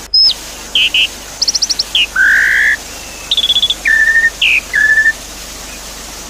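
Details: Javan pied starling song with water sounds, used to restart a bird that stopped singing: clipped high notes, a low buzzy drawn call, quick stuttered chip series and flat whistles scattered over steady hiss.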